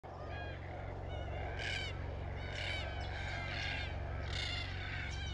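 Red-tailed black cockatoos give harsh, rolling, trumpeting calls, several overlapping about once a second, over a steady low rumble like wind or an engine.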